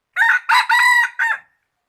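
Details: Rooster crowing, praised as a fine crow of 2021: one loud, harsh crow broken into four parts, with a long held middle section and a short falling end, with no other sounds.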